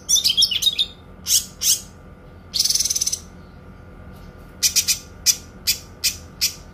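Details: Kinoi in a tutor recording for training songbirds, with long bursts and a clear voice: a jumbled quick twitter opens, followed by harsh descending notes, a rapid very high trill, then a run of short sharp chips.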